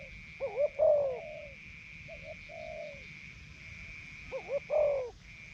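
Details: Spotted Dove kept as a ground decoy in northeastern Thailand, taken out of its breeding cage to test whether it will coo. Loud, mellow coo phrases: quick wavering notes, then a long falling coo, with quieter coos between. A constant high whine persists.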